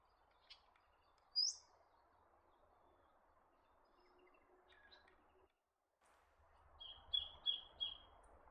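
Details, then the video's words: Black-faced monarch calling: a few scattered short notes, then a run of four clear, downward-slurred whistles in quick succession near the end, over a soft steady background hiss. "Black-faced Monarch"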